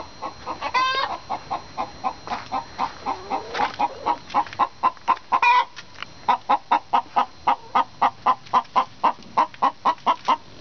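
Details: Two hens singing an egg song together, bragging about an egg about to be laid or just laid: loud, rapid repeated clucks, roughly two to three per second, broken by a couple of drawn-out, rising squawks.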